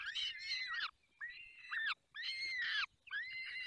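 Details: Falcons at their nest in the Barycz Valley during feeding: four loud, harsh, wailing calls, each under a second and rich in overtones, slurring downward at the ends, with short silent gaps between them.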